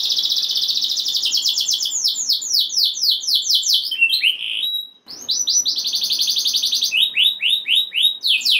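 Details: Canary song meant to rouse other canaries into singing: loud fast rolling trills of repeated down-slurred high notes, a short pause, then more rapid rolls and chopped phrases at shifting speeds.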